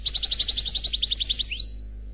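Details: Unpaired European goldfinch singing in the Khalwi style: a rapid string of even, high ticking notes that shifts into a faster, softer twitter and ends on a short rising whistle.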